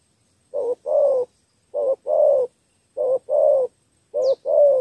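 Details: Spotted dove with the three-note thổ coo for attracting wild doves: four even pairs of deep, rough notes, a quick short coo and then a longer, slightly falling one. A faint high chirp is heard near the end.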